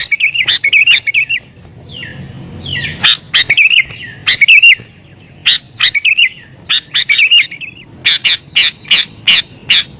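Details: Sooty-headed bulbul singing vigorously in an agitated mood, used to lure wild bulbuls: loud bursts of warbling, bubbly phrases, then a run of sharp repeated notes near the end, with short pauses between bursts.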